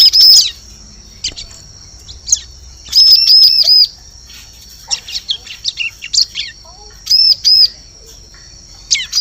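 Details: Bar-winged prinia lure sound used for trapping birds in forest: short bursts of high, arched, ringing notes in quick runs of three to four, with scattered sharp chirps between bursts and a faint steady high tone underneath.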